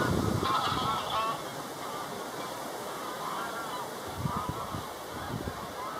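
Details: Incoming flight of geese giving nasal honks, a burst in the first second and more around four to five seconds, partly buried under a steady broad rushing noise.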